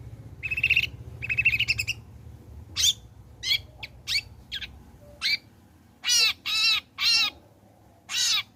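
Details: Long-tailed shrike singing vigorously after its moult, recorded as a lure to prompt other shrikes to sing: two rapid buzzy trills, then a series of short harsh rasping notes and four loud grating bursts spaced about half a second apart.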